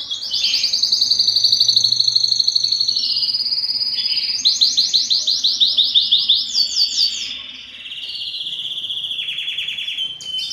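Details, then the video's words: Belgian canary song meant to draw females for breeding, a continuous high rolling trill that shifts between tours, with fast pulsed stretches and steady buzzy rolls without pause. "O canto mais forte do canário belga que atrai as fêmeas para a reprodução"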